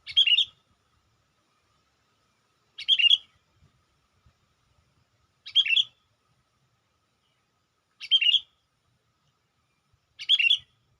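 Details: Sooty-headed bulbul lure calling for wild bulbuls: five short, bright, bubbly chirp bursts repeated steadily about every two and a half seconds against a quiet background.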